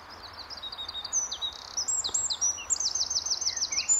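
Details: Wild Eurasian wren singing at RSPB The Lodge, Sandy, Bedfordshire, early morning in May 2012: rapid high twittering notes build into a loud, even, very fast trill. Warblers and other birds are singing nearby.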